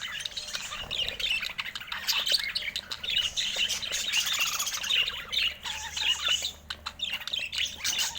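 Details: Budgerigars chattering steadily, a dense mix of short squawks, chirps and scratchy warbles from more than one bird, with brief lulls and a faint low hum underneath.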